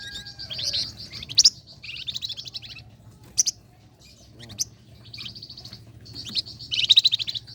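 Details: Lively flame-breasted flowerpecker, sung as a lure for competition birds. Repeated short, high, buzzy trilled bursts are separated by sharp, piercing chips and brief pauses.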